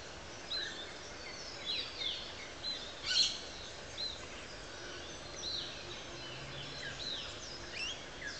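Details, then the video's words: Double-barred finch pair nest-building in a botanic garden orchard in Gladstone, Queensland; soft high chirps and nasal notes scattered through, one louder burst midway, with constant background hiss. "Double-barred Finches Building a Nest"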